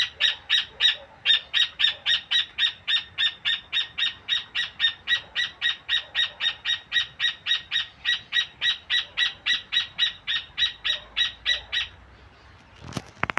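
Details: A rufous hornero (Furnarius rufus) sings a loud, shrill run of harsh, evenly spaced notes, about three a second for twelve seconds, then stops; a sharp knock follows.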